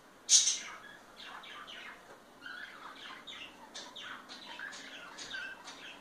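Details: Parakeet pair showing affection: one sharp, loud squawk opens, followed by a steady stream of quiet, buzzy chattering chirps and short warbled notes in a small indoor room.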